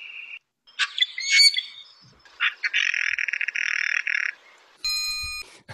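Steller's Jay giving a couple of harsh, raspy squawks, then a fast grating run of shack-shack notes lasting about two seconds; a brief clear tone sounds at the end.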